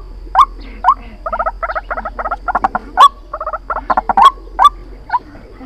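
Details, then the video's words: White-breasted waterhen lure call for trapping: loud single croaks mixed with quick stuttering bursts of doubled, rattling notes, an uneven run of calls over faint background hum. "Tiếng chim quốc Mồi chuẩn dùng để bẫy"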